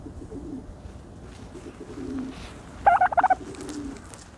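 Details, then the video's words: A turkey taking a dirt bath gives soft low murmurs, then a sudden burst of five or six rapid, loud pulses in a gobble, then more quiet murmuring. "the special noises of a turkey bathing in dirt"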